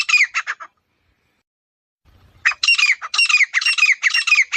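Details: A grey francolin calls in the open: a few grating notes, a silent pause of almost two seconds, then a fresh run of loud, rasping, down-slurred notes in quick succession.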